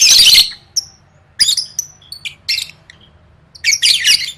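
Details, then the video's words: Lovebird training song for competitions: an opening loud raspy burst, scattered short high chirps and squeaks, then another dense chattering burst at the end, faint hum underneath. "Suara Burung Lovebird III Latihan Gacor Gantang Siap Juara"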